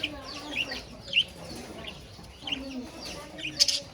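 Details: Budgerigars in a cage with a rabbit give several separate bright chirps and squeaky notes, spaced about half a second to a second apart, with faint warbling between.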